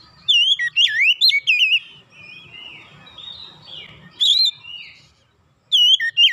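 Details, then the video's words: Lure song of an Oriental magpie-robin for reviving a quiet bird's singing: rich looping whistles in a fast opening phrase, a softer mid-section with a brief high flourish, then a fresh loud burst of whistled notes at the end. "pancingan pemulihan Kacer susah bunyi langsung gacor"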